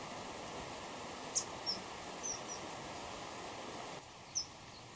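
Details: A male and female common kingfisher pair call back and forth close together in song, the female told by her red lower bill: five short, shrill, very high whistled notes at irregular intervals over a steady background hiss.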